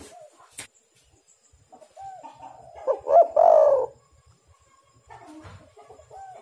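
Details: Spotted dove (tekukur) cooing as a lure for other doves: quiet scattered coos, then one loud throaty phrase of quick notes and a long falling coo near the middle, with a sharp click at the start.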